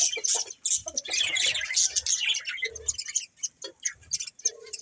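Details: Breeding pair of budgerigars chirping: a dense, scratchy high chatter of rapid twittering notes in uneven bursts, with brief quieter gaps and soft low knocks.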